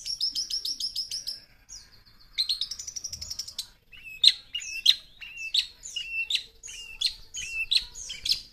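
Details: Young long-tailed shrike with plenty of fill-in phrases: rapid high trilled notes, a held whistle, a fast rattling series, then repeated sharp, upswept calls roughly every half second.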